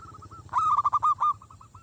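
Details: Zebra dove used to lure wild doves into fierceness: soft repeated coos, then one loud, rough burst of stuttering notes, returning to gentle evenly spaced coos, with a low steady drone behind.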